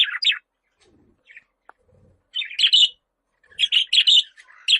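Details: Budgerigar calling in buzzy chirps that come in bursts, with quiet pauses between them and a faint low knock in the middle.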